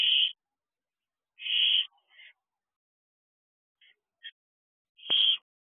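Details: Young barn owl calling from an owl box at night in June: short, harsh, breathy screeches spaced one to four seconds apart, with a few tiny clicks between them.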